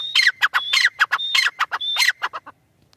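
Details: Francolin making harsh, screechy notes, each group led by a short high whistle, in a rapid series for two and a half seconds before stopping.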